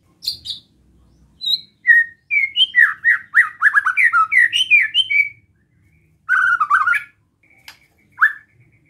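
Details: White-rumped shama performing a relaxed besetan song to provoke rivals: high thin opening notes, then a long, varied chain of quick whistled and slurred phrases, a short pause, and a final buzzy rattling burst.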